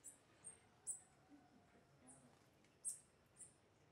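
Rufous-tailed hummingbird giving very high, thin, dry chips, about six spaced irregularly over a few seconds, against a soft background hiss.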